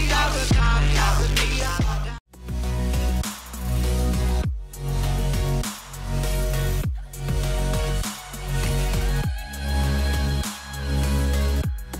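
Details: Loud electronic music with a heavy bass beat and rhythmic pulses, and no animal voice heard.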